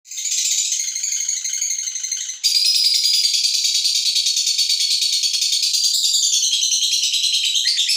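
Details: Female fighter lovebird trilling to provoke other birds: dense, rapid chattering trill of harsh high notes, shifting to a louder, fuller stretch partway through and continuing steadily.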